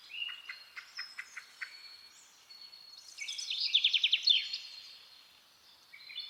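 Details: Rose-ringed parakeet (Psittacula krameri), begging call: chicks begging for food while fed by the male.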